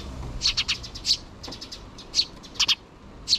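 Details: Two sparrow chicks in the nest, still begging their parent birds for food while the mother is present, recorded 6 June 2023: high, thin chirps in quick clusters, then scattered single and double peeps, over a low background hiss.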